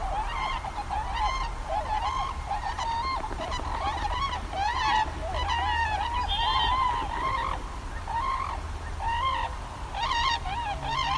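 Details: A flock of Tundra Swans in Washington State gives their distinct, high-pitched call: hooting, slightly nasal notes overlapping constantly, about one a second, over a low background rumble.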